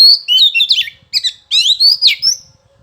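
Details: Kacer, the Oriental magpie-robin, in lively gacor song used as therapy to make males respond. Quick run of warbled whistles, slurred chirps and scratchy notes in short bursts, ending on a rising whistle.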